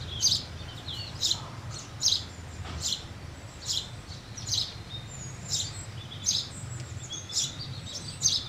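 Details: House sparrow giving a run of high chirps roughly every second, with fainter thin whistles from other birds and a low hum beneath.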